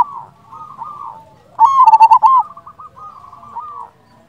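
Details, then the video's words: Zebra dove, a local Indonesian bird, giving a loud rolling phrase of quick coo notes in the middle of the recording, meant as a lure; softer dove coos come before and after. "Perkutut lokal gacor Pancingan ampuh sekali putar suara ini 100% bikin nyaut"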